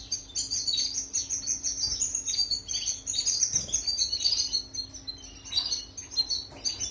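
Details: European goldfinch singing, a recording meant to tutor canaries: a long, continuous, liquid twitter of fast high chirps and trills, with a brief pause midway, over a quiet constant hum.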